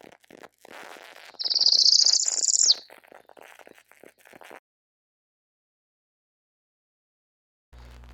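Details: A Northern Parula, a spring migrant warbler passing through Erie County, sings a single high, buzzy trill that climbs steadily for about one and a half seconds and ends in a sharp downward snap, likened to a spaceship about to take off, over faint clicking.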